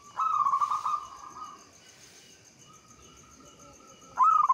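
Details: Local Javanese zebra dove, a lure recording meant to stir other doves into song: a buzzy, slightly wavering coo held steady, a quiet gap, then a louder rising trilled phrase at the end.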